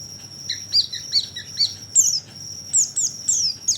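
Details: Oriental white-eye call used as a lure to attract birds: soft high chirps with lower echoing notes, then louder down-slurred chirps repeated about once a second over a steady thin high whine.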